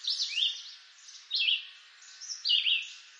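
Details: Red-eyed vireo singing in woods of eastern North America: three short slurred whistled phrases, each dropping or rising, separated by pauses of about a second, with a faint steady high hiss behind.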